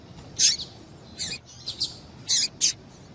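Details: Female double-collared seedeater calling, a call used to stimulate and excite males into singing for song tournaments: four short, sharp, very high chirps spaced irregularly over three seconds, with little background noise.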